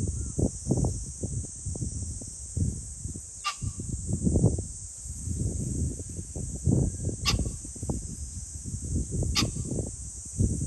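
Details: Three brief, coarse pheasant calls, recorded 21 July 2024, come at irregular gaps through strong low wind rumble and an unbroken high-pitched buzzing hiss.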